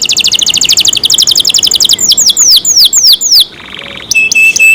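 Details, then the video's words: Canary cared for by its keeper sings a quick trill of high chirps, a run of loud falling whistles, a soft buzzy roll, then flat whistled tones. "canary Nice sound"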